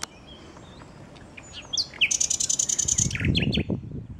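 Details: Singing common nightingale in Westduinpark. Thin rising whistles lead into a rapid, buzzy, high trill of about a dozen notes, then some lower twittering notes, with a brief low rumble near the end.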